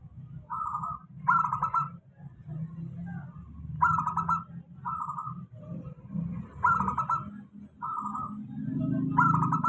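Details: Local zebra dove's stable lure song to coax lazy doves into singing; trilled, rippling cooing phrases in sets of three repeated every two to three seconds, with low rumbling noise throughout.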